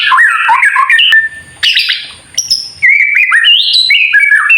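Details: Bright kretekan song from a White-rumped shama, aimed at provoking rival shamas into song: quick warbled notes, a sudden high burst, near-silence with soft low noise for over a second, then a run of rising and falling whistles.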